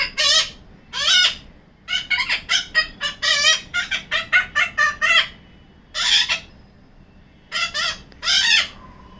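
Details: A yellow-collared macaw, a pet female, gives harsh, raspy squawks while hiding in a cabinet, some single and some in rapid runs of six or seven, over a faint background hum.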